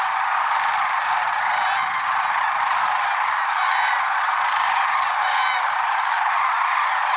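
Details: Early morning flock of lesser sandhill cranes at Merced National Wildlife Refuge, February 6, 2023. Many rattling, bugling calls ring over a continuous wash of flock noise, with several louder trumpeting bursts through the recording.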